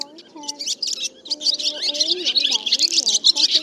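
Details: Roost call of black, white-bellied swallows, a net-trapping lure: a rising crescendo of sharp high chirps and twitters from many birds, with lower wavy whistles beneath.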